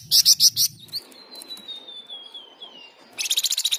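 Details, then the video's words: Flamboyan in loud, continuous song used to stimulate other birds: a few strident high bursts, a long thin descending whistle, then a fast series of sharp shrill repeated notes. "Flamboyan Gacor Dor | Masteran dan pancingan paling dicari"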